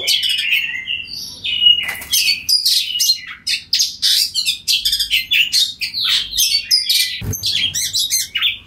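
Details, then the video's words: Oriental magpie-robin in loud full song, calling to other magpie-robins so they answer; dense, fast, continuous chattering and scratchy warbled notes with whistled bits, hardly pausing, a sharp click near the end. "Suara Kacer Ngeplong Gacor Memanggil Kacer Lain Bunyi Nyaut"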